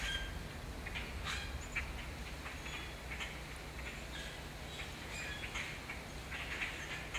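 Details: A large gathering of Common Grackles in Canada gives scattered squeaky, creaking notes and short harsh chucks over a steady low rumble.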